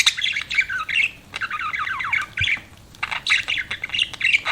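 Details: Pet budgerigars chirping: bursts of rapid, scratchy warbling and squawky chirps about a second long, separated by short pauses, with quick rising and falling notes.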